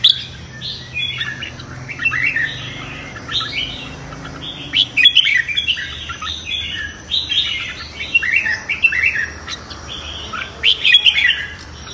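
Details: Red-whiskered bulbul competitive morning song, meant to train voices and rouse newly caught birds; continuous overlapping whistled and warbled phrases, several voices seeming to trade bursts throughout.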